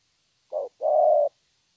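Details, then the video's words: Young spotted dove, a wild-caught bird, singing in the 'thổ' style: one phrase with a brief low coo, a short gap, then a sustained even coo about half a second long, in a quiet setting. "Thổ tốt tiếng.(chim tơ)"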